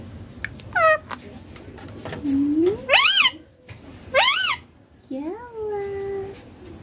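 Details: Young ringneck parrot giving separate tonal calls: a quick downslurred note, a low rising whistle, two arched harmonic squawks about a second apart, then a long level whistle with an upward start.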